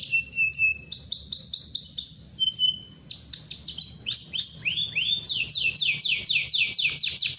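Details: Canary in long rolling song used to lure other canaries into singing; high varied phrases, a thin steady whistle, then series of rapid downward-sweeping notes repeated about twice a second, growing louder and denser.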